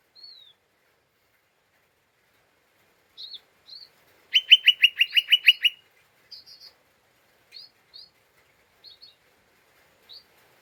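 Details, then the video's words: Lesser green leafbird chattering excitedly as a lure to stir other birds: a slurred whistle, scattered short chips, a rapid even trill of about eight notes, then more spaced chips. "Pancingan Cucak Ijo Mini Cimin Malasa bunyi / ngeriwik / Emosi tidak stabil"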